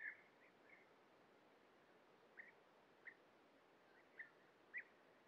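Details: Scattered single calls of European bee-eaters at a breeding colony during feeding of young at nest burrows; brief rolling notes spaced roughly a second apart against a constant noisy background.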